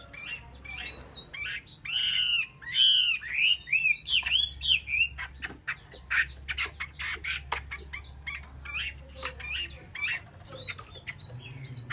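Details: Female Chinese hwamei, a kept cage bird in Vietnam, giving loud harsh squawking notes with slurred whistled phrases around the middle, then a rapid run of sharp clicks and chips, with a low steady hum beneath.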